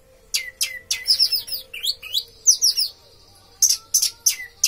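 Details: Orange-headed thrush singing a fast series of sharp, high whistled notes with rapid downward sweeps and trills, in short bursts separated by brief pauses; a faint steady hum underneath.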